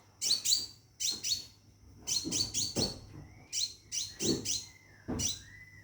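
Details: A scarlet minivet in a cage calls for a mate with clipped, high descending chirps grouped in twos and threes. Soft lower whistles and faint thumps sit underneath, along with a constant thin tone.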